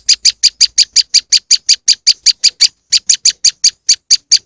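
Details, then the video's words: Moss wren lure recording: a loud series of harsh, buzzy chips repeated almost three times a second, with one short pause near the middle and no other sounds. "powerful moss wren bird lure sound"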